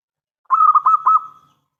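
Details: A local zebra dove, its song used as a lure to draw answers from other doves, gives one clear phrase: a rapid run of bubbling, rolling coos on a single pitch that ends in a drawn-out trailing note.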